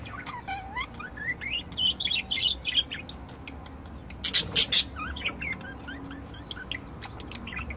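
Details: Budgerigars, several different birds, singing: a rising whistled slide opens a busy stream of warbled chirps and clicks, then three loud harsh squawks, followed by softer chattering notes.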